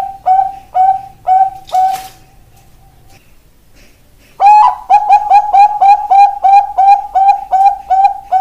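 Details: Song of a ringed Bangkok-type zebra dove, or perkutut. Four spaced, clipped coos come first, then a quiet gap of about a second. A fast burst of a dozen ringing notes follows, gradually easing in pace.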